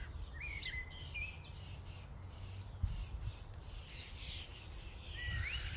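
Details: At a feeding station, a common starling flock makes drawn-out whistles that slide up and down, mixed with quick high chirps and clicks, over low background noise.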